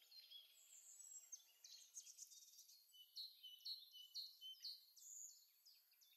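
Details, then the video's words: Songbirds singing in a forest in spring, twittering to win over females; soft, high, thin chirps and short trills from overlapping voices, notes coming roughly twice a second, with no other clear sounds behind them. "Waldgezwitscher im Frühling"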